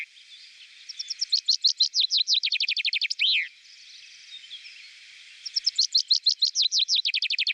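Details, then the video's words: Common chaffinch (Fringilla coelebs) repeating its song: a run of rapid, high, falling notes ending in a loud downslurred flourish, then a second run beginning after a pause. "Reclamo Del Pinzón Vulgar (Fringilla coelebs)"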